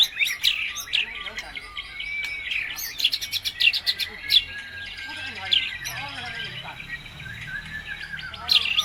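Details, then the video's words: Energetic white-rumped shama lure song, full of notes borrowed from other birds, played to get other birds singing: sharp high chirps and clicks in uneven bursts over a steady high whistled background. "PANCINGAN MURAI BATU GACOR MATERI FULL ISIAN"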